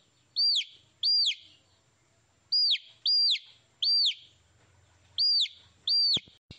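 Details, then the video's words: Young chicks give piercing, downward-curving peeps in pairs and triplets, with a soft low rumble between calls and a sharp click near the end. "Tiếng gà con kêu - Baby Chicks Chirping Sounds"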